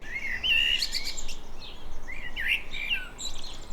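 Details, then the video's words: In mid-May 2024, in a coastal garden in North-West England, a common blackbird sings in the background: two mellow, fluty phrases, each closing in a thin high twitter, over a steady low rumble. "Tôi hy vọng bạn có thể nghe thấy tiếng chim đen đó đang hót ở phía sau,"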